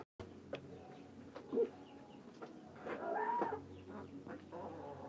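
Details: Hens giving scattered short clucks, then a longer rising squawk in the middle, with a low hum behind.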